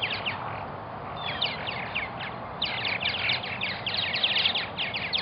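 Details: Purple martins at a nesting colony in Melbourne, Florida: many short, chirping and gurgling notes overlapping in quick bursts, louder and denser in the second half, over a steady broadband rumble.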